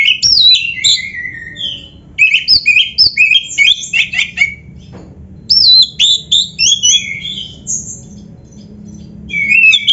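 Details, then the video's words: Kacer, or Oriental magpie-robin, singing a training tutor song for caged birds: bright whistled notes, falling slurs and quick chirps in dense runs, two long bursts separated by a brief lull. "MASTERAN KACER GACOR FULL ISIAN !! - Suara Burung Kacer yang cocok untuk LATIHAN"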